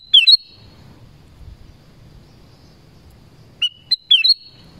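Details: A black-crested bulbul among forest trees sings a quick warbled, whistled phrase, pauses about three seconds, then repeats it with a couple of lead-in notes.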